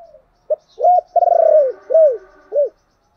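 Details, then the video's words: Low five-part phrase from a spotted dove in thổ voice, an urging and calling coo: a brief note, a curved hoot, a long vibrating croo, then two rounded coos spaced about half a second apart. "cu gáy giọng thổ Thúc và gáy gọi hay"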